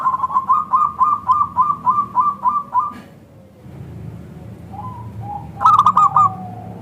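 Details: Local zebra dove heard as a lure for other zebra doves: a long run of about eleven evenly spaced, rolling coo notes, a quiet stretch with two soft drawn-out coos, then a final quick burst.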